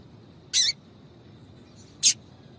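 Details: Female double-collared seedeater calling to excite a male: two short, sharp, high chips about one and a half seconds apart over a quiet background.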